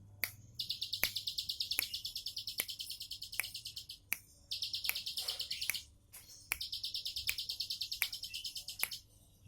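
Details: Three long runs of fast, high, rattling trill from a bar-winged prinia in the relaxed 'tembakan' song, separated by short pauses, with regular sharp clicks throughout.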